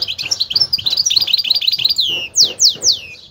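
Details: High twittering song of a goldfinch hybrid, the meli or bunduq, with rapid bright chirps leading into three loud, separate whistles that each sweep downward in pitch.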